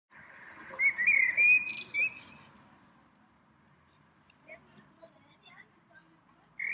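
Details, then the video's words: A single small bird singing in a tree in spring, a place it visits several times a day: a melodious warbled phrase of quick high twisting whistles over about two seconds, then scattered faint short notes. "鸟鸣 一只小鸟儿的单口相声"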